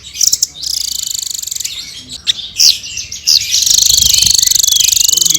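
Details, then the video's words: Long buzzy trills from a blue-crowned hanging parrot singing vigorously, interrupted midway by a few sharp high squeaks and clicks before the rapid shimmering trill resumes. "Suara Burung Srindit Full Gacor"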